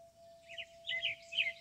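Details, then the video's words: Birds calling in the Kentucky countryside near a hackberry tree: three quick bursts of high, twittering chirps over a steady ringing wind-chime tone. "birds and wind chimes at Meadowstone"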